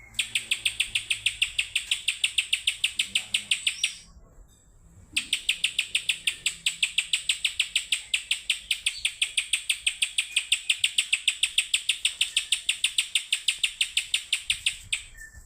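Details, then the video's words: Spiderhunter singing energetically, a long string of quick, sharp, high-pitched chattering notes about three per second, broken by a single one-second pause before resuming just as fast. "burung pijantung gunung gacor"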